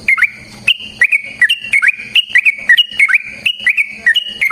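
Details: Yellow-vented bulbul (trucukan) singing a lively fighting song meant as a lure to provoke other birds: loud whistled phrases with quick rising and falling notes, repeated in rapid bursts, with a faint low hum in the background.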